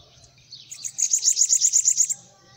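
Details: Bananaquit sitting on a person's hand sings about ten quick, high, sharp notes in a steady, buzzy run that lasts around a second.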